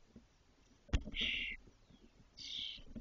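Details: Spotless starling nestlings in Doñana National Park, six fully feathered chicks about 22 days old as the first leaves the nest in a cork oak; two hissy, rasping bursts follow a sharp knock.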